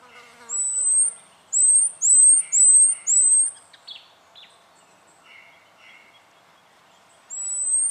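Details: Spotted quail-thrush recorded in Victoria, Australia, in January 2012. Five thin, very high whistles, each rising slightly, follow in quick succession. Faint lower chatter sounds between them, and one more whistle comes near the end.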